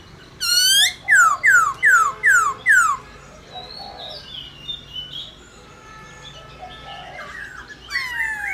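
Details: Black-throated laughingthrush giving a 'réo' song meant to rouse other laughingthrushes to sing: five loud, ringing down-slurred whistles in quick succession, then a quieter, scattered tail of softer notes.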